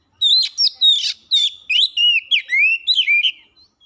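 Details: Fast lure song of an oriental magpie-robin: looping whistles and scratchy bursts give way to short, clear whistled notes that dip and rise, about a dozen phrases packed into under four seconds.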